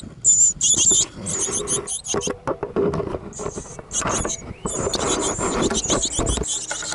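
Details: A busy family of great tits in a backyard on 5 May 2014 gives high, thin, hissing bursts in quick runs, some with a short whistled edge, over low rumbling and rustling.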